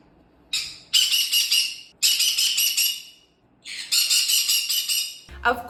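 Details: A pet Green-cheeked Conure, described as quieter than a sun conure but often loud, gives three harsh, raspy screams, each about a second long, with brief pauses, ending in a short thump.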